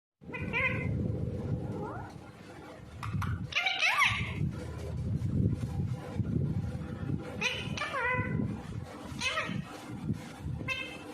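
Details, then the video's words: Pet ring-necked parakeet talking, with phrases such as "ammy kya hua" and "give me kiss": short harsh, harmonic voiced bursts with falling sweeps, spaced a few seconds apart over a steady low rumbling background. "ring neck parrot"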